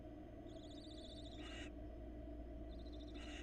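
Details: Barn owl family at a Florida nest, the female arriving with a rat for a chick before a love-hate exchange with the male; two wavering high trills each ending in a harsh hiss, over steady hum.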